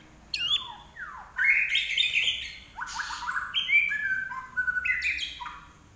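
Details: A common iora (larwo) sings energetically: a high note sliding down, long bright whistled phrases, then a series of short steps that fall and rise, on a calm background.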